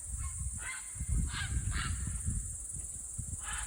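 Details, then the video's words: A group of wild cranes on rural land in Estonia, 22 July 2021, on their first visit there, calling as a person comes out of the house: faint, distant honking trumpet notes repeated about every half second, over steady high hiss and low wind rumble. "Cranes don't like it when i come out of the house."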